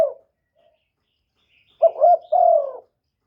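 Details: Spotted dove decoy bird calling to lure wild doves, recorded without background noise: after a brief opening note, a low hoarse phrase of two short wavering coos runs into a longer falling coo near the end.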